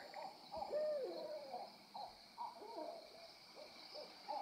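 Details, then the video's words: A group of owls going wild: short, rounded hooting notes tumbling over one another in an uneven chorus, with steady insect hum in the background. "Owl sighting with my mom! Listen..."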